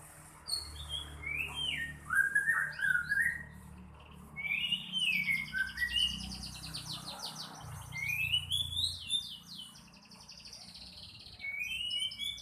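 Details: Murai batu (white-rumped shama) in lively song: varied whistled notes rising and falling in quick runs, with buzzy trilled passages, over a steady low hum and background noise.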